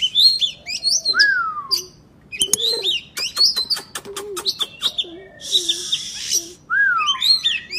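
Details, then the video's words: Oriental magpie-robin singing energetically, used as therapy to rouse silent birds into song: looping whistled phrases, a repeated descending slurred note, sharp clicking ticks and soft low notes beneath, with a few short gaps. "KACER GACOR"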